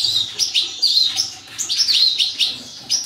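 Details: Captive European goldfinch of the large major form, kept for breeding, singing bright twittering phrases of high tinkling notes and short buzzy trills in bursts, with faint background hum.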